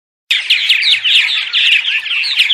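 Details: Purple martins in daytime chatter, used to lure martins to nest houses during migration: a dense, continuous warbling and gurgling from several birds, starting abruptly after a short silence.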